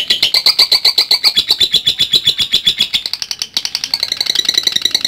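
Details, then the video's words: Lovebird giving a long ngekek song used as training material: a fast, shrill, rattling chatter of sharp high notes, about four per second, running without pause and shifting slightly in pitch near the end. "LOVE BIRD GACOR NGETIK NGEKEK PANJANG | MASTERAN LOVE BIRD AGAR NGEKEK PANJANG"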